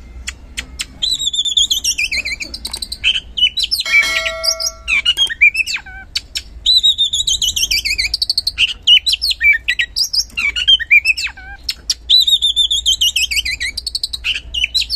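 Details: Oriental magpie-robin singing energetically, a lure recording meant to prompt reluctant magpie-robins to sing: loud, varied phrases of rich whistles and descending slurs mixed with sharp clicks and chatters, with a brief flat buzzy note near four seconds.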